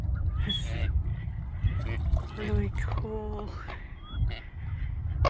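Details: Displaying Gadwalls, recorded 20 January 2024 at about 10:40, give soft short nasal harmonic calls in a brief run, with a few thin whistles and possibly a coot's knocking call, over steady low wind or water rumble.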